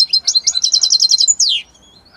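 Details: Italian-labelled European goldfinch giving a rhythmic trill of about ten rapidly repeated notes, ending in a long buzzy descending slur, then silence.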